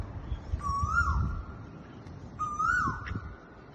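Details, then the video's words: On Mount Sophia Road, a noisy koel gives two loud, clear whistled calls, each rising and then held steady, about two seconds apart, over a low rumble of traffic. "Noisy Koel Bird"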